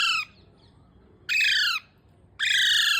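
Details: Baby parrot giving loud, harsh, rasping squawks, three in a row about a second apart, each a broad buzzy note sliding slightly downward; a brief word in Malayalam follows.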